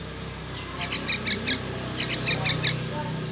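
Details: Young wild-hatched yellow-vented bulbul giving a run of short, high, thin chirps repeated several times a second, over a steady low hum.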